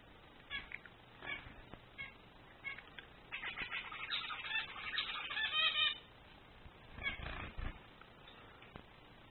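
A male zebra finch sings a quick run of nasal, buzzy notes after a few scattered introductory calls.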